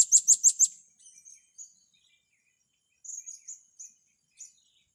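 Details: Four quick, shrill high-pitched chips in a rapid run from blue-crowned hanging parrots during training of young birds, then scattered soft, thin whistled notes with short pauses between them.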